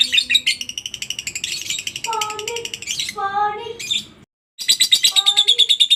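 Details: Lovebird ngekek chatter for training other lovebirds: bursts of rapid high repeated notes, interrupted by lower stacked whistled tones and a short silence before the chatter resumes.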